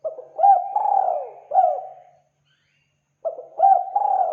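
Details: Spotted dove coo phrase used as a lure: quick rising notes, a drawn-out sliding coo and a short coo, then the phrase starts again after a brief pause.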